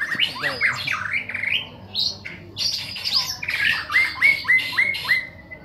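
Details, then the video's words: Caged young male white-rumped shama in a singing contest with captive-bred birds: a tumble of varied whistles, then five clear down-slurred whistled notes repeated in a steady series near the end. "Murai Batu Anak Lanang"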